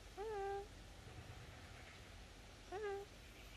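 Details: Pet Eleonora cockatoo, a subspecies of sulphur-crested cockatoo, saying hello indoors: two short, clear, harmonic voiced utterances about two and a half seconds apart, each rising briefly and then holding level, over a quiet room hum.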